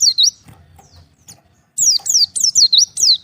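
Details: Oriental white-eye separated from its flock, calling to others; after a brief chirp and quiet gap, a burst of high, sharp falling slurred notes repeats quickly.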